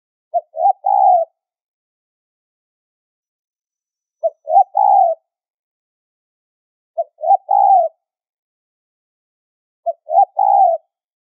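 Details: Spotted dove giving a high-pitched lure call used as bait for trapping: four clean phrases, each a short clipped note then two longer rolling coos, repeated about every three seconds, with silence between and no other sounds.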